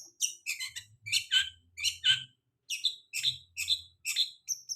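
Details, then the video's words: Lure song of a long-tailed shrike, used to get a bird singing after molt: repeated clusters of high, scratchy chirps and brief whistles in two rapid sequences split by a short pause, with a faint low hum. "Pancingan cendet habis mabung pasti bunyi"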